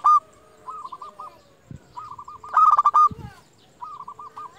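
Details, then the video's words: Vocal local zebra dove used as a lure, its call meant to stir rival doves. Soft series of short coos, one loud rattling rolled phrase mid-clip, and low knocking thumps in the background. "Perkutut lokal gacor JUARA Pikat terbaik paling jago memanggil lawan"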